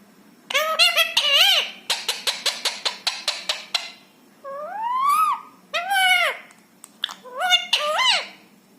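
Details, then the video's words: Rescued ringneck parrot indoors: a few arched, nasal words, then a rapid evenly spaced series of about a dozen sharp clicks, followed by long rising, warbling phrases and a closing bent syllable. "बोलने वाला तोता। Parrot Talking । मिट्ठू मिया की प्यारी बातें ।"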